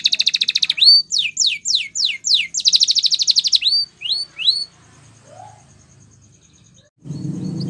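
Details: Canary training song: a rapid, high, rattling trill, then five sharp sweeping notes in quick succession, another fast trill and a few upswept whistles. The song stops, leaving near-silence, then a low rumbling noise at the end.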